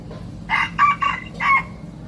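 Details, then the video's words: Hybrid junglefowl youngster practising its first crows, giving a rough, choppy attempt of several short hoarse notes with gaps between them, lasting about a second, over steady low background hum. "#ไก่ป่าลูกผสม #เริ่มฝึกขัน"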